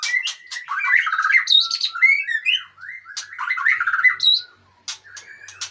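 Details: Aceh white-rumped shama, long-tailed type, delivering a varied song: clear whistled notes, rapid warbling trills and rising slurs, loud at first, then fading to a few quiet high notes.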